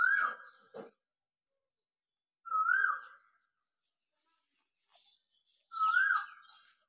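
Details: Asian koel, a single bird calling on and on at dawn after the morning prayer, heard from a balcony in Dinajpur town: three loud, rising whistled notes about two and a half seconds apart, with faint chirps from other birds between them.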